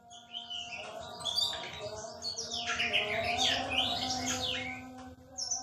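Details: White-rumped shama from Aceh, a bird called rare with a very melodious voice, pours out a dense, fast stream of varied whistles and chattering notes over a constant low tonal hum.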